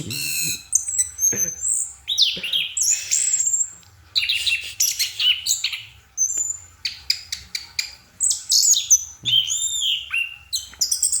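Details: Orange-headed thrush singing at night: stop-start strophes of high whistles, rasping notes and rapid clicking chips, separated by short silences, with a low hum in the background.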